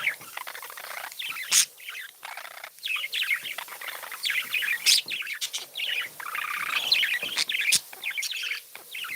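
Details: Happy pet budgies in lively chorus, rapid twittering and rolling warbled phrases overlapping continuously, punctuated by a few sharp clicks.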